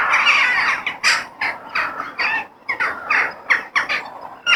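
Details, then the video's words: Crows heard in nature: separate harsh, nasal caws burst out one after another, about two each second, with quieter gaps between them and a softer chatter of other crows behind. "The Sound of Crow In Nature"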